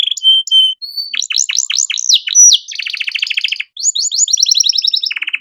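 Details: Canary master song for tutoring young birds: short level whistles, then a burst of sharply dropping notes, fast repeated trills and a final low buzzing roll, all high and varied.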